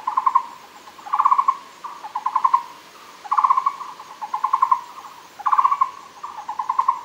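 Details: At Fushan, Taiwan, a Muller's barbet (Megalaima oorti) gives rapid, trilled hoots near one pitch in short bursts about every second, with a faint hiss of forest background.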